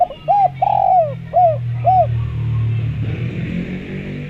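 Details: Spotted dove cooing used as a lure so other doves reply: a short series of arched coos, including one long falling note, over about two seconds, then a low humming, music-like background with no further calls.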